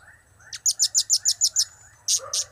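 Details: A blue-crowned hanging parrot delivers a fast run of seven shrill, clipped high notes, evenly spaced, then two louder harsher chirps; cap, kiak and crap calls over faint background hum.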